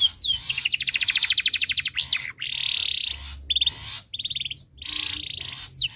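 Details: Canary in breeding condition, singing to set other birds singing: rapid pulsed trill, buzzy sustained rolls and short clipped trills separated by brief gaps.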